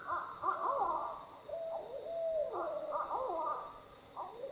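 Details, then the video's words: Active barred owls on a lake in Algonquin Park's Western Uplands, early spring, heard at camp: rough, wavering hoots in the distance with a drawn-out sliding note between bursts; faint steady hum. "There are some active barred owls on this lake."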